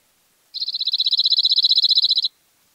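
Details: Cirl bunting from İzmir, Turkey, May 2021, delivering a level, mechanical trill of around twenty clipped high notes in under two seconds, steady in pitch and volume against a silent background.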